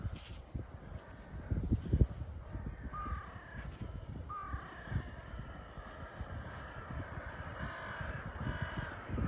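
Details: Crows gathered on a Baltic Sea beach at Liepaja, Latvia: a few hoarse caws rise faintly around the middle, largely buried under steady wind and surf rumble and crunching footsteps.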